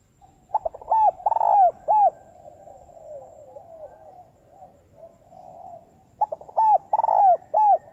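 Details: Spotted dove giving a fast, very intense lure call used in trapping. Two loud, clear coo phrases open and close the recording, with softer cooing from other doves running continuously in between.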